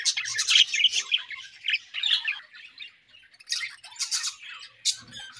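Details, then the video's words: Budgerigars in a colony chirping during a meal: loud bursts of harsh squawky chirps separated by brief quieter gaps, with scattered softer twitters. "Budgies Colony Chirping Sounds"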